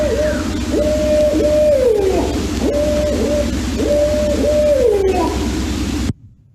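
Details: A Barred Owl gives a series of wailing, woman-like shrieks, possibly an alarm call though its use is uncertain: about four drawn-out, level notes that each drop away at the end, over a low steady hum.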